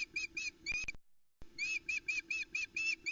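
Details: Osprey female shouting from the nest edge at Loch Arkaig, July 2020, as her mate arrives with the day's second fish; fast, evenly spaced piping whistles, about four a second, briefly broken by a pause, with a faint low hum.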